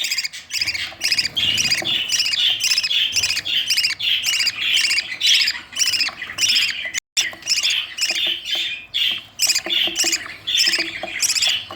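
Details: Budgerigar chicks being fed by their parents give dense, raspy begging chirps, rapid and continuous, with high scratchy squawks overlapping.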